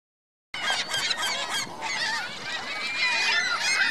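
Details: Geese with goslings at Virginia Lake in Reno, recorded 2 May 2013; a dense chorus of overlapping high, squeaky peeping notes, many callers at once, with rising and falling chirps running continuously.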